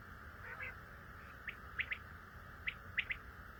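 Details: Faint common quail call, two groups of three short sharp notes heard over steady background noise.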